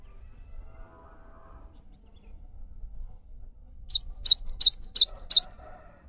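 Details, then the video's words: Cinereous tit in lively song, played as a lure to draw replies from silent caged birds: after four seconds of near quiet, a quick run of five high, sharp two-note phrases, each a dipping chip and then a thin whistle. "MASTERAN GELATIK BATU GACOR UNTUK MEMANCING BUNYI GELATIK BATU MALAS BUNYI"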